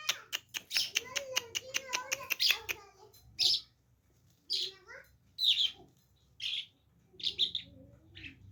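Small birds give rapid, scratchy high chirps and sibilant bursts in irregular clusters, with a faint low voice-like murmur underneath.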